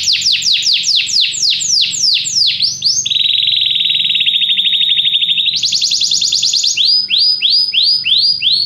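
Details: Canary singing varied phrases: repeated descending sweeps, a long low buzzy trill, a higher rapid trill, then spaced sweeping whistles repeated about twice per second.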